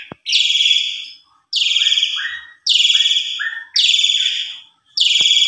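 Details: Javan pied starling lure song: loud, harsh, buzzy notes repeated about once a second, each followed by a soft lower rising tail, with short silences between them.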